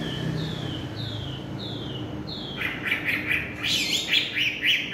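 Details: Chinese hwamei singing at dusk: four clear, downslurred whistles spaced about half a second apart, then a burst of rapid, rolling, repeated notes over a noticeable low background rumble.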